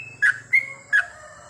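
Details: Sooty-headed bulbul at night, goklik training song: three short, clear whistled notes, the middle one drawn out and level, over a faint low hum.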